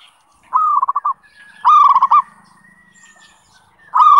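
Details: Song of a perkutut (zebra dove) for daily training. Repeated cooing bursts of rapid stuttering low notes end in sustained coos, with a faint higher whistle and a low hum in the gaps.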